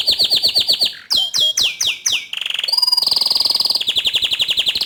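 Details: Lively bottle-green canary song meant for tutoring young and untrained canaries, with bouncy repeated high notes, a few slurred downward whistles, then a fast buzzy roll and sharp repeated chips.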